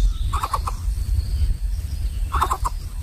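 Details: Greater coucal nestlings in a nest, differing in size, competing for food so the smallest cannot get fed; two short bursts of rapid, harsh, pulsed calls, three to four notes each, about two seconds apart, over a steady low rumble of background noise.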